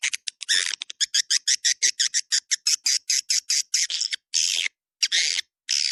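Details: Swiftlet call for attracting swiftlets, 'Dua Bidadari' style: a fast sequence of rough chirps at an even pace, giving way to a few longer hissing, buzzy notes with short gaps.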